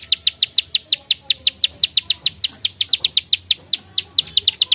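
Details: Prenjak sawah prinia in fighting ('narung') form gives a fast, steady run of sharp, dry 'klik-klik' clicks, about six per second, high-pitched and unbroken throughout.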